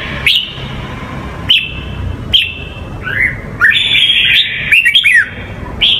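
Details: Red-whiskered bulbul in the Huế singing style, played to teach young birds; clear whistled notes repeated several times, then a livelier run of quick slurred whistles, over a low background hum.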